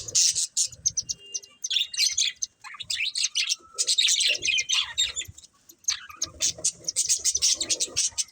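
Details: Budgerigar breeding pair keeping up busy chirping: bursts of high, scratchy twittering and warbled chatter lasting one to two seconds each, separated by short quiet gaps, with occasional lower squeaky notes.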